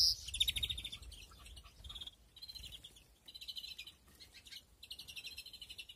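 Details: Rapid twittering from European greenfinches in a breeding flight aviary, 2021. Fast buzzy trills of repeated short notes come in bursts of under a second, with a brief sharp note at the start and little background noise.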